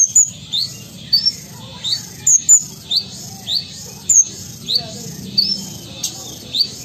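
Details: Ruby-cheeked sunbird (kolibri ninja) from Sumatra, a caged contest bird, repeating a short pattern of a sharp high tick followed by a quick rising whistle, roughly twice a second, steady and rhythmic over a low hum.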